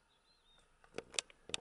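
Little bustard giving three short, dry, snorting bursts within about half a second, after a faint, thin, high whistle from another bird.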